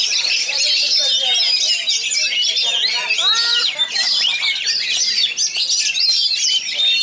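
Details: Magpie robin (kacer) from Pasbar, kept for songbird contest training and praised for rich material and fast, tightly packed delivery. Its song runs unbroken and loud: rapid high whistles, trills and chattering notes crowd together, with a brief run of lower, swooping notes midway.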